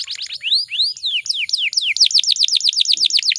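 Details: A female canary in breeding state, sounding to coax males to sing: slow arched upward-then-downward whistles, then a fast even chain of short falling notes.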